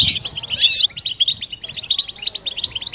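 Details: Brief burst of European goldfinch 'batbata' group song, meant to prompt mating song: a loud jangling flourish at the start, then a quieter series of quick separate high chips.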